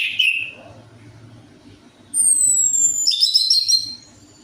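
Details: Orange-headed thrush lure song for a bird reluctant to sing: a short slurred whistle, then high thin descending whistles and a dense burst of very high chattering notes, low hum throughout.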